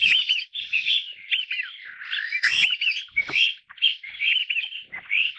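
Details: Taiwan bamboo partridge family group in Taiwan: steady, loud, squealing and buzzy calls from several birds, overlapping in a dense chorus with brief dips in loudness.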